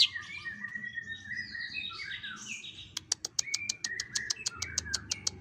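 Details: Bird voice in a compilation for training contest shrikes: warbled twittering phrases at first, then a fast series of clicking ticks interwoven with short whistles.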